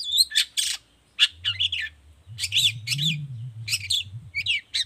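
Long-tailed shrike giving a rapid, scratchy song of harsh chattering bursts and squeaky notes, high-pitched and broken into short phrases, over a low background hum.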